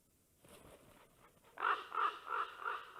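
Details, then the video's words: Common ravens in Karula, Estonia, on 19 August 2023: after a raven arrives at the nest and ravens call to each other, one gives four harsh, throaty croaks about a third of a second apart, following softer calling. "Raven conversations. (sound !)"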